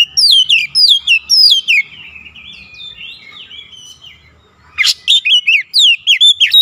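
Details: Oriental magpie-robin singing persistently and unloading its learned repertoire of fill-in phrases: bright, sharply descending whistled notes in quick bursts, a quieter warbling passage in the middle, then loud rapid whistles again.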